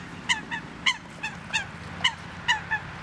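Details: At Duingt beach on Lake Annecy in the French Alps, a Eurasian coot calls with sharp, nasal honks, often paired as a loud note followed by a softer echoing one, about nine notes over three seconds.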